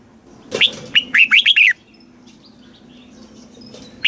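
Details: A single red-whiskered bulbul phrase in the southern master-phrase style, for teaching young caged birds: a sharp note and a string of fluty down-slurred whistles, followed by quiet and the start of the next note.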